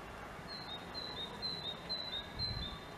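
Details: Great tit singing a clear two-note whistled phrase, a high note dropping to a slightly lower one, repeated about twice a second in a steady seesaw rhythm over soft outdoor background noise.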